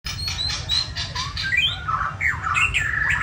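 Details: White-rumped shama: a series of sharp clicking notes gives way to bright whistled sweeps that rise and fall between mid and high pitch, with a steady low hum underneath.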